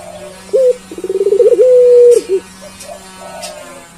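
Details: A persistently calling puter pelung collared dove: a short abrupt note, an accelerating bubbling trill, then a held deep coo ending in a small dip, followed by quieter murmurs. A low steady hum underlies it.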